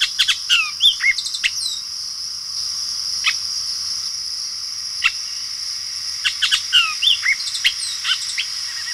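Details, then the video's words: Bullock's oriole, a bird of open woodlands, prairies and orchards with a variable, raspy voice, gives short bursts of mixed whistles and harsh chatter in two loose phrases a few seconds apart over a steady high insect-like hiss. "Their vocalization is a little more variable and it has a lot of rasp to it."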